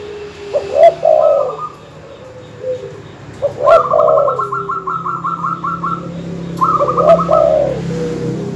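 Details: Dove calls used to stir up rival birds: low, soft double coos repeated every few seconds, with a quick, stuttering run of higher notes after the second coo.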